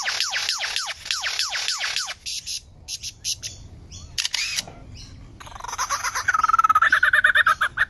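A myna gives a run of quick falling whistles, then harsh scattered notes and a fast, buzzy chatter; sharp clicks are heard in between.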